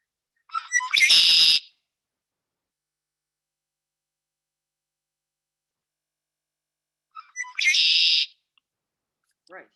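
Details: Red-winged Blackbird call, described as buzzy and somewhat bizarre: two phrases about six seconds apart, each a few short clicking notes followed by a harsh, drawn-out buzz.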